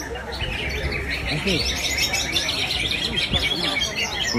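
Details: Greater green leafbird at a 2023 songbird contest, a champion contest bird; dense busy twittering and warbled phrases at high pitch, overlapping chirps from other contest birds, with people's shouts and crowd noise throughout.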